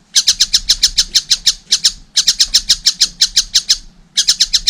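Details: Harsh, high notes from a young collared kingfisher, delivered in quick bursts of about a dozen with brief gaps between them.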